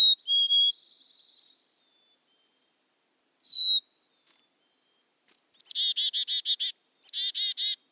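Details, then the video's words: Black-capped Chickadee giving its namesake chickadee-dee-dee call: high, thin opening notes, then two bursts of about eight rapid, buzzy 'dee' notes; this species is found in Ontario in both winter and summer. "And chickadees say their name, chickadee dee dee, chickadee dee dee."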